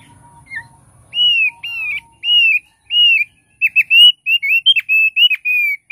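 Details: Thick-billed heleia giving several separate slurred whistles, then launching into a fast sequence of ringing, high whistled notes with sharp downward flicks.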